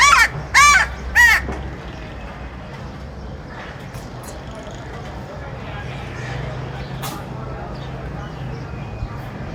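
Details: Three quick raspy caws from a crow open the recording, followed by a long stretch of quiet low background rumble.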